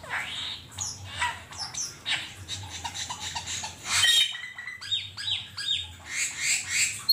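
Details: Black-winged myna in the wild, giving a continuous jumble of rasping squawks and scratchy chatter, with a few clearer downslurred whistles near the end.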